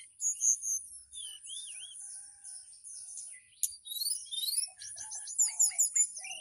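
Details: Caged mountain tailorbird in Purworejo, Central Java, whistling flute-like 'nyuling' phrases to summon a female: looping whistled notes, then bursts of sharp rising chirps and fast repeated high strokes, with a constant shrill background drone.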